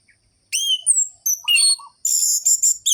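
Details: Orange-headed thrush in nonstop 'gacor' song of the ngerol-ngeplong style, used as a lure to rouse lazy, sluggish thrushes: sharp, high whistled phrases with rising slurs, then buzzy rapid bursts, with a faint low note between.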